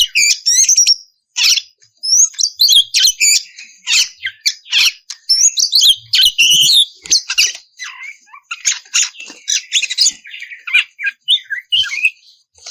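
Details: Oriental magpie-robin singing steadily as a lure for rivals; long runs of high, scratchy, rapid notes and twisting whistles, with scarcely any pause.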